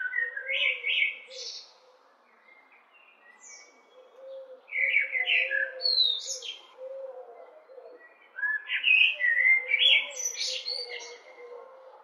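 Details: A common blackbird sings three mellow, fluting phrases a few seconds apart, each ending in a higher twittery flourish, over a soft background hum.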